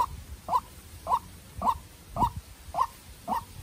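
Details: Captive young decoy white-breasted waterhen fighting a wild bird. Seven loud, short, slightly harsh notes are repeated evenly, about one every half second, over low rumbling noise.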